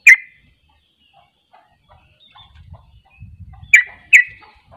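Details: Sooty-headed bulbul (trucuk) singing in the rapid 'ropel' style, which reportedly sets other bulbuls off too: one sharp burst, then a pair of loud explosive notes near the end, with faint low rumbling between.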